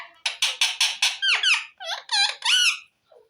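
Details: Talking parrot kept as a pet, uttering a quick series of five harsh buzzy notes followed by several bent, speech-like harmonic syllables, then falling quiet.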